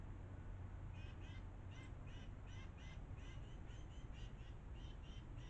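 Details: Cooper's hawk lingering for a long bath and shower, briefly interrupted by a squirrel; a steady run of short harsh notes, about three per second, over loud rushing water.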